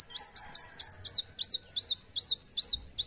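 A black sunbird sings a fast, high-pitched run of thin, arched, squeaky notes, several per second, with no other sounds.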